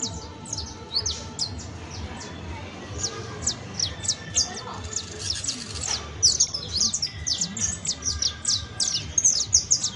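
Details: Saffron finch singing in the professional style: steady high, thin descending chirps that grow denser and louder in the second half, forming rapid clustered runs.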